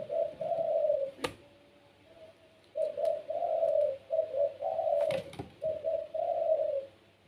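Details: Caged puter pelung dove cooing steadily: a string of short, low, rounded coo notes in quick groups after a brief pause, with a couple of sharp clicks in the room.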